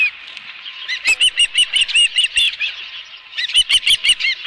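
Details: Osprey at a ranch nest with a live fish, July, early afternoon: series of sharp, rising chirped whistles repeated about three times a second, with bursts of wing flapping and a quieter pause mid-sequence.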